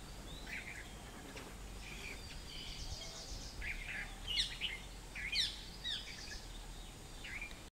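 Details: Spangled drongo (Dicrurus bracteatus) calling at WII Dehradun in April 2015: scattered metallic, twangy chattering notes, about one burst a second, some sharply rising, against a steady low background hiss.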